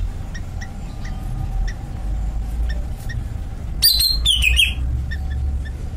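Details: A caged greater green leafbird delivers a single burst of high, falling whistles and trills near the end, after soft repeated chirps, over a loud low-pitched rumble.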